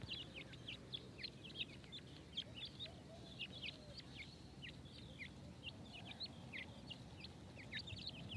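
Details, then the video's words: Grey francolin chicks peeping continuously while being fed, short high notes that rise and drop in a rapid, overlapping chatter over a constant low hum. "Teetar chicks feed | teetar ki khurak | teetar k bachy | baby chicks"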